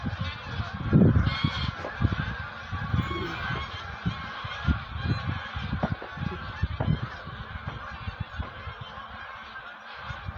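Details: Geese preparing for migration call in a loose chorus of nasal honks, a loud burst near the first second, then steadier calling above a constant low rumble.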